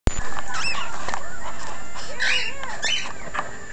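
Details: Hand-fed baby cockatiels, several nearly ready for new homes (white-face, albino, pied and cinnamon colour forms, mother nearby), in the Warren, Michigan area, give overlapping harsh chirps and short rising and falling squawks in quick succession.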